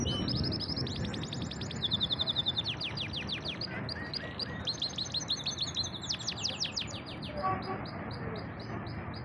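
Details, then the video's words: Pet canary described as a champion singer, delivering a bright, high song of rapid trills and rolling repeated notes, some phrases sweeping quickly downward, over a steady low background hum. "Awesome singing canary / champion bird"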